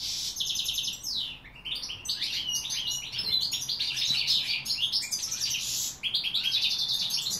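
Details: Goldfinches in 2016 pour out fast, sweet twittering song, overlapping jingling notes and short buzzy rattles almost without pause, with a momentary lull near six seconds.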